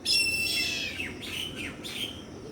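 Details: Young Indian grey hornbill chicks calling: a few loud, squeaky descending notes, each dropping sharply in pitch, with a bright whistle-like tone at the start.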